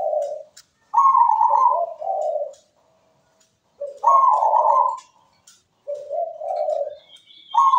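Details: Zebra dove song, sweet and frequent: short low coo, then phrases of a higher quavering note followed by two lower rolling coos, repeated every three seconds or so.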